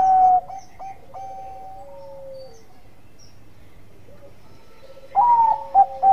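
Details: Zebra dove, Bangkok type, cooing to prompt rival birds: a loud note at the start, quieter distant cooing and soft hoots through the middle, then a loud phrase of a long note and clipped hoots at the end.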